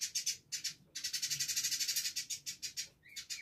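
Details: Village indigobird, a vigorous singer, in a close-paced tutor recording for training other songbirds: rapid, high, chattering chirps in dense bursts about four per second, with short pauses and a brief rising whistle near the end.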